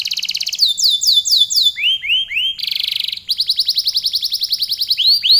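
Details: Canary in long, lively song: quick high trills alternating with slower arched whistled notes, a brief buzzy rattle, then another rapid run of repeated rising syllables.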